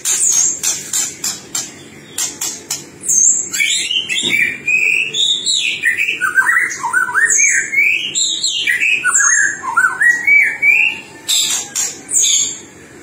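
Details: White-rumped shama master song, meant to spur other birds into song: sharp high ticking notes at first, then a long flowing series of looping whistled phrases rising and falling, ending in more dry clicks.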